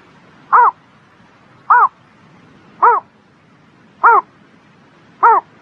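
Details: A bird on a spring morning giving short, arched, harmonic-rich calls, five evenly spaced notes about one every 1.2 seconds, over a low, steady background hum.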